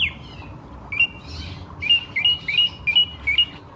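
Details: Drongo in lure song for nearby birds: a falling whistle, then several paired, clear, upslurred notes repeated in a quick, slightly uneven rhythm.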